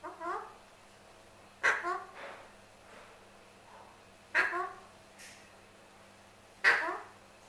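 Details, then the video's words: Male pet Alexandrine parakeet begging for his apple: short harsh squawks with stacked harmonics, each beginning with a sharp onset and dropping off, given in irregular bursts about every two to three seconds, with softer calls between. "MY ALEXANDRINE PARROT WANTING HIS APPLE"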